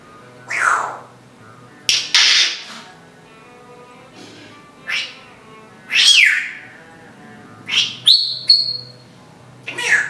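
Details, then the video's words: Female timneh African grey parrot, kept indoors, mimicking house noises and whistling for a dog: scattered squeaky, kissy and creaking sounds, some sliding downward, with a high thin whistle near the end. "Grey Bird, African grey, calling a dog, making house noises, and improvisational jazz whistling."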